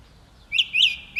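Song thrush giving a brief fragment of song: two clear, slightly buzzy notes, the second longer and swelling, followed by the start of a third, over quiet background.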